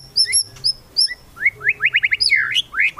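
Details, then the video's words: Murai batu (white-rumped shama) kretekan song to provoke rivals: a few thin high whistles, then a fast string of bright slurred notes ending in a rising sweep. "KRETEKAN MURAI BATU MEMANCING EMOSI, BIKIN LAWAN CEPAT GACOR EMOSI"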